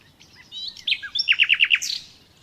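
A nightingale sings a short phrase: thin whistled notes, then five rapid, rich repeated notes and a final high flourish. No other sounds.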